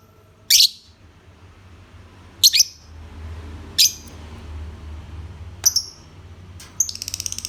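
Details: Lovebird uttering sharp, piercing single chirps spaced a couple of seconds apart, ending with a quick buzzy trill of rapid notes over a low background hum.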